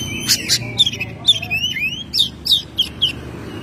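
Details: Captive Oriental magpie-robin kept at home, in lively song: a quick string of bright whistled slurs, some rising and some falling, mixed with short scratchy clicks, delivered in rapid bursts.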